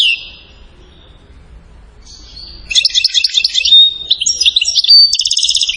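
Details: European goldfinch from Settat, Morocco, singing in the silsila style: a thin opening note, a pause, then a fast run of bright twittering trills and liquid chirps that continues to the end.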